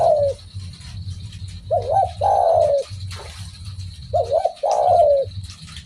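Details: Spotted dove cooing, known locally as derkuku or tekukur, a call said to set any dove calling in reply: two phrases of a short wavering note followed by a longer, falling coo, with a steady low hum underneath.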